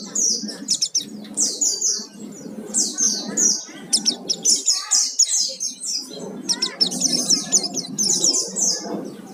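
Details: Oriental white-eye in full fill-in song as a lure to set others singing: busy high twittering phrases and descending chirps over a steady low background rumble.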